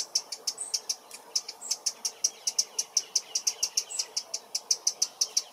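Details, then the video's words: Eurasian wren in a London park giving its loud teck teck teck alarm call on spotting a potential enemy such as magpies or crows near the nest: sharp, high clicking notes repeated about five times a second in a steady run. "Wren bird alarm call"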